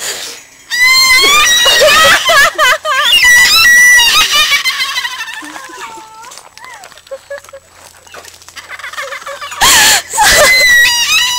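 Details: Cockatoo laughing back at a person who is laughing at it: rapid, repeated harmonic cackling bursts, then a quieter spell and a final loud burst, with a woman laughing and talking close by.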